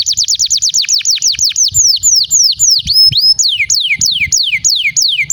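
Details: Canary singing as a lure for other canaries: rapid repeated high downslurs that gradually slow into long sweeping whistles, a brief steady tone, then loud descending slides repeated about every third of a second.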